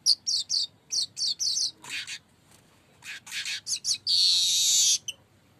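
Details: Lure song of a streaked weaver (manyar kembang), sung actively: quick runs of sharp repeated chirps, then harsh rasping bursts, a pause, more chirps, and a loud sustained buzzy sizzle to finish.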